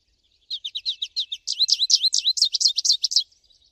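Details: American goldfinch singing in nature, one continuous rapid string of high, bright twittering notes, quickening and growing louder midway, about three seconds long.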